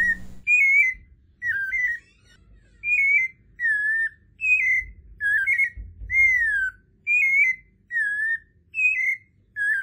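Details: White-necked Thrush (Turdus albicollis) from Brazil singing short, clear whistled phrases, each slightly different, about one per second and fairly high, with a faint low rumble beneath.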